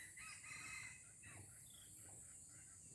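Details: Junglefowl from Aceh, Indonesia, used as a decoy bird in its first trial, gives a faint crow: harmonic notes rising and falling in the first second, then softer fragments, over a steady high-pitched insect hiss and low background rumble.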